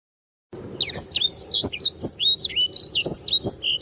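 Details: A sanger, or black-throated canary, sings a lively tutor song for training other birds. Silence gives way to a steady stream of high, quick chirps and swooping whistles, repeated in short bursts.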